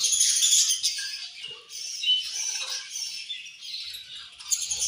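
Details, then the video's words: Budgerigars chirping in anger during a meal: rapid, dense high twittering and squawks, loudest at the start, mixed with light scratching sounds. "Budgies Eating And Angry Chirping Sounds"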